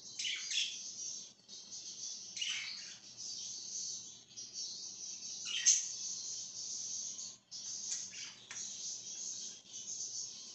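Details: Budgerigar chattering on 26 July 2023, a steady stream of high, scratchy warbles and buzzy chirps with brief down-slurred notes every couple of seconds and almost no pauses.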